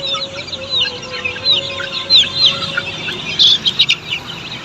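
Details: On a poultry farm, Australorp chicks give scattered sharp high peeps, some louder bursts near the end, above a thin steady background tone.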